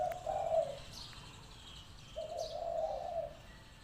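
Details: Spotted dove serving as a decoy at a trapping pen: two deep, smooth cooing phrases separated by a quiet gap, with faint thin chirps from other birds behind.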